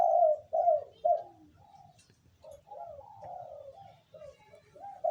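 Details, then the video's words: Spotted dove (terkukur), a local wild bird, giving the 'kuk 2' call: soft hollow coos, three loud notes, then a quieter, longer cooing phrase, with a low steady hum behind. "terkukur/dekukur kuk 2 lokal alam suara mantap"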